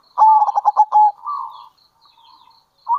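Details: Lure call of a local zebra dove in kerot and bekur style: a fast run of stuttered coos, then a smoother drawn-out coo, followed by soft pieces and faint high chirps in the background.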